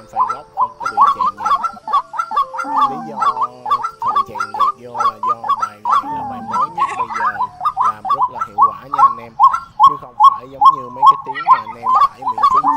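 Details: A White-breasted Waterhen (Amaurornis phoenicurus) repeats a croaking, nasal note over two times a second, with music and a faint voice beneath, in a Vietnamese lure recording for night netting of migrating waterhens.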